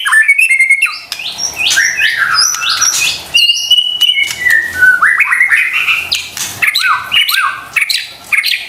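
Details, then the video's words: White-rumped shama song played to provoke quiet or stressed shamas into answering: a rich flowing sequence of loud whistled phrases, sweeping slurs and quick repeated notes, almost continuous with brief breaks. "PANCINGAN murai batu STRES dan MALAS BUNYI seketika LANGSUNG nyaut dan GACOR dengar suara INI"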